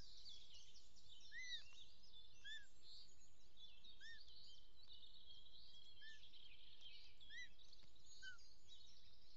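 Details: Bonelli's eagle nest scene, Els Ports, Catalonia, 16 June 2023: male brings a small snake, female takes it and feeds the chick, which swallows the last piece whole; thin, arched whistled notes about once a second over dense high chatter and low rumble.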